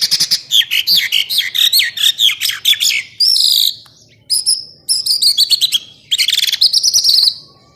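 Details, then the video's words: Songbird from a training recording meant to give contest birds special filler sounds; quick varied chirps and high whistles in changing phrases, broken by short pauses. "MASTERAN BURUNG MEWAH TERBARU, FULL DURASI TEMBAKAN"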